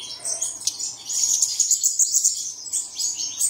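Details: A brief stretch of early-morning bird song used to coax caged birds into song: bright, very high chirps repeated rapidly in a quick, evenly spaced run of piercing notes.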